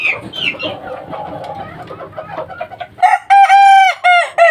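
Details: Three-month-old kukuak balenggek chicken, a young bird, crowing: after three seconds of murmured background and light chirps, a loud harmonic crow breaks into several connected, slightly rising segments with short gaps, ending abruptly.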